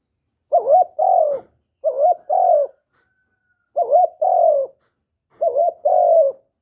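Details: Spotted dove cooing as a lure for wild doves, clean recording: four two-part phrases, a quick wavering rise followed by a longer even coo sloping down, spaced about every one and a half seconds.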